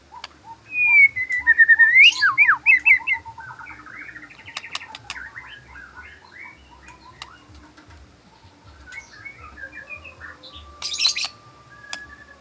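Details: In the afternoon a white-rumped shama gives a loud rising whistle and a fast series of sweeping, bubbling notes, then fades into soft, sparse twitters with a brief high burst near the end.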